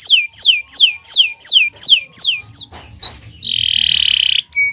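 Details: Canary in morning song, giving a regular series of loud downward-swept whistles about every third of a second. After a short break comes a long buzzy, rasping note.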